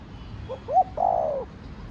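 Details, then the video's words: Spotted dove (cu gáy) singing one Thổ Đồng-style phrase: two soft short notes rising into a sharp note, then a long, falling, slurred coo. "Cu gáy giọng Thổ Đồng Thúc, Gù kích bổi nhanh nổi"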